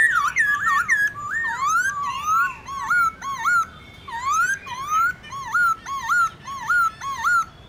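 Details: Laughingthrush singing wild-style song, played each morning to stimulate captive birds to sing: loud, clear whistled phrases, slurred rising and wavering, repeated in quick series, with a faint hiss behind.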